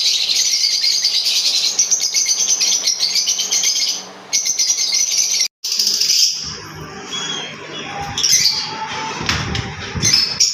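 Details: Green Fischer's lovebirds, a pair, singing and chirping: long unbroken run of buzzy, rapid high twittering, then a break followed by scattered whistled chirps amid low rumbling handling sounds.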